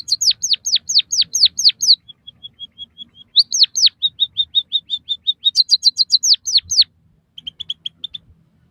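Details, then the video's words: Song of a white-headed munia, played to stimulate and master captive birds: rapid runs of high downslurred chirps, a row of faint even pips, then quick level notes and more falling chirps, about two per second, in quiet surroundings. "suara burung emprit kaji gacor masteran burung pipit bondol haji biar ngeroll"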